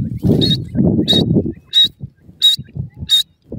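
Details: Grey francolin (teetar), male and female birds: four sharp, high squeaky notes spaced roughly 0.7 seconds apart, with heavy low rumbling noise at first and then soft low knocks between the calls.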